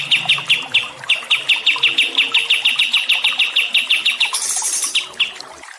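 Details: Training sound for stressed songbirds: a steady stream of crisp, high chirps at a brisk even pace, ending in a short hissing burst and a few last notes.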